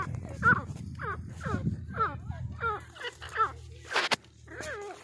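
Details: Grey francolin giving a rapid series of harsh, ringing notes that bend up then sweep down, about two per second, with a sharp click near the end and faint low background noise.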